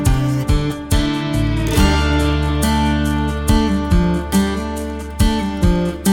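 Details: Strummed acoustic guitar music with steady chords and repeated plucked notes, with no animal sound heard.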